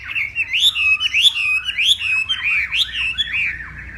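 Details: Loud clear song of a Hwamei from Northwest Vietnam in a morning singing contest: rich rising and falling whistles, some looping notes repeated in pairs, delivered strongly without pause.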